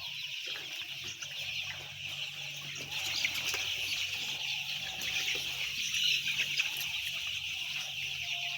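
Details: About ten thousand white chicks peeping together, a steady shrill chirping mass with no pauses that grows a little louder midway, with faint soft thumps underneath.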